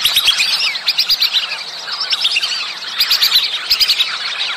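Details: Whistling ducks in the mating season give a dense chorus of high, thin whistles. Many overlapping rising and falling notes run quickly and continuously, pulsing in loudness throughout.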